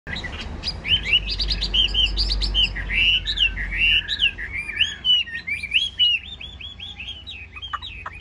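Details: Caged yellow-billed Chinese hwamei kept as a songbird, delivering a rich, fast run of varied whistled phrases with slurred upward and downward notes, some short chattering bursts, and a low rumbling hum underneath.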